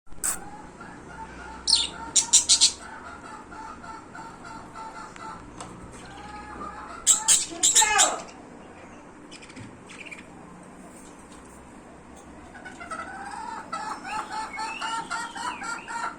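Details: Budgerigars in a happy mood give sharp chirps in short bursts, then a soft, rambling warble.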